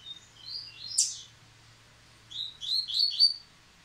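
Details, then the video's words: After the moult a captive Rusty-collared seedeater resumes singing: a couple of soft whistled notes and a sharp click, a pause, then a quick tumbling phrase of high slurred notes. "Coleiro Baiano Caetano voltando a cantar após muda!!!"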